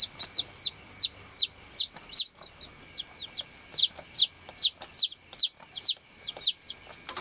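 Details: Baby chickens on a farm: loud, high, sharply falling chirps coming about two to three per second, at times from more than one chick, over a steady faint hum.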